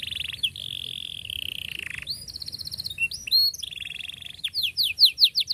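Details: Canary song for young canaries to copy: a long buzzy roll shifting pitch, then looping whistled notes and a fast rolled trill, closing with a run of loud descending chips.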